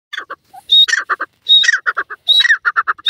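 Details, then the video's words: Grey francolin, called Dakhni teetar, giving loud harsh calls: a high piercing note followed by quick runs of raspy, rhythmic syllables, the phrase repeated about every 0.7 seconds with no other sounds. "Pheasant Bird Beautiful Sound, Dakhni Teetar, Best Teetar Ki Boli"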